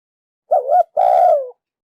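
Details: Female spotted dove calling to stimulate the male: a short two-part coo, a wavering note then a longer steady coo falling slightly at the end, in silence.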